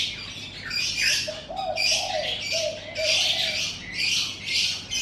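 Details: Morning bird sounds in front of a house, intense high chirping and chattering in repeated bursts roughly each second, with a few mellow low cooing phrases in the middle.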